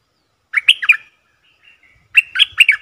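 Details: Lure sound of a bulbul used to attract wild birds: two brief bursts of three or four bright, gurgling notes, separated by a faint whistle.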